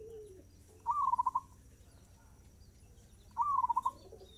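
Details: Fast-tempo zebra dove song: two brief trilled phrases of quick staccato coos, the first note slightly higher, about two and a half seconds apart, with a faint lower chirp at the start and quiet hum behind.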